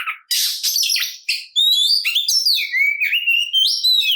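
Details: Oriental magpie-robin singing its fighting song to provoke other birds: scratchy chatter at first, then a string of loud, clear whistles that slide downward and upward in varied phrases.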